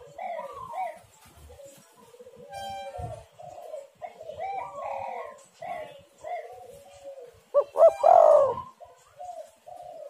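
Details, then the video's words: Spotted dove cooing meant to lure wild birds: mostly soft background bird notes and light clatter, then one loud phrase near the end with clipped notes and a long rolling coo. "tekukur super gacor suara untuk pancingan semua burung"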